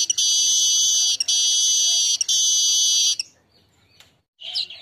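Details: Asian golden weaver singing at midday for training other birds: three loud sizzling buzzes, each about a second long with brief breaks, then near silence and a short scratchy note.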